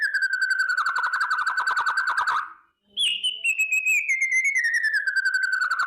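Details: White-rumped shama in a fierce morning kretekan song meant to raise fighting mood; a steady pulsing buzzy trill, a short silence, then a high whistle sliding slowly down through a rapid trill.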